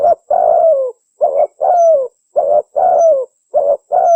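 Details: A local spotted dove (Spilopelia chinensis) coos: low, hollow coos in quick pairs, then a longer note sliding down, the phrase repeating steadily with brief pauses; the recording is used to lure wild doves and train pet doves.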